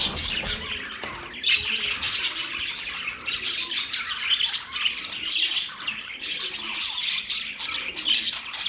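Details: Lively budgie chatter: rapid overlapping chirps, tweets and rasping notes, swelling into louder clusters every second or so.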